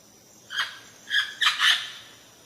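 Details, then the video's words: Indian parrot gives four harsh, raspy screeches in quick succession, the last two nearly running together, over a faint background hiss. "Natural Indian Parrot Sounds"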